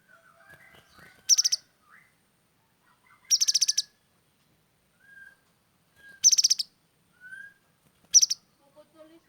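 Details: Grey-headed canary-flycatcher in sharp song, delivering four brief high trills of quick repeated notes at irregular intervals, with soft lower whistled notes from other birds between the bursts.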